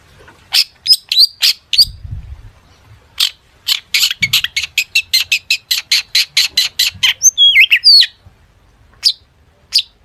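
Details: Long-tailed shrike song packed with fill-in phrases, played to make other shrikes sing: scattered sharp clicks, then a long fast train of dry, evenly spaced ticking notes, a twisting whistle and a few final chips.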